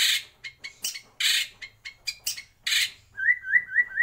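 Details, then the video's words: Song of a white-rumped shama in a breeding aviary: loud harsh rasping notes and short ticks, then a clear whistled phrase of four rising, slurred notes repeated quickly. "Kicau Murai Batu"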